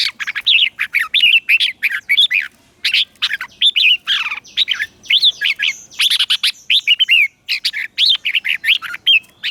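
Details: Red-whiskered bulbul acting as a lure, singing to summon wild birds for a singing duel. It pours out a continuous stream of sharp, chattering whistled notes and slurs, barely pausing across the recording.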